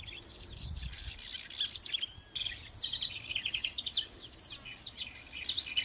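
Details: Song of a house wren from Ansenuza in Córdoba, Argentina, 2019: a continuous stream of high, jumbled chirps and twittering trills, with one sharp break partway through.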